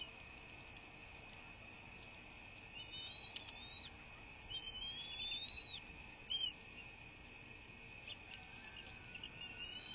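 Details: American bald eagles at a live nest cam: several series of thin, high whistled chirps that rise and fall, given in bursts around the middle of the recording, over a steady electrical hum and background hiss.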